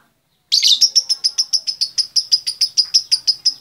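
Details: After a brief harsh squawk, a female lovebird calling the male breaks into a fast, even series of bright, high chirps, about five each second.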